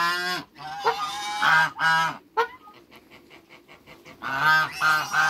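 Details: Two male and one female African geese in a backyard with other waterbirds, giving loud, harsh nasal honks in quick bursts of three or four, a quiet gap, then another rapid burst of honks.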